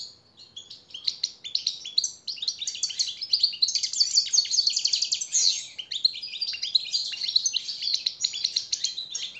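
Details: European goldfinch delivering a motivating master song meant for training captive birds: sustained rapid twittering with liquid trills and buzzy rattles, a short break near the start, then a steady, energetic flow.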